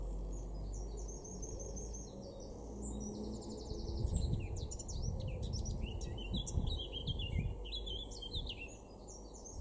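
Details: A male Eurasian blackcap in a garden in Weener, East Frisia, northwest Germany, in April 2024, sings a rich, fast warble of varied chirps and fluting notes over a steady low rumble, with other birds faint behind.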